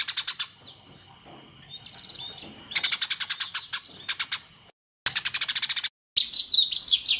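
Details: Eurasian tree sparrows calling: a thin sustained high whistle overlaps bursts of rapid, rattling chirps, with brief breaks, then quicker sharp descending chirps.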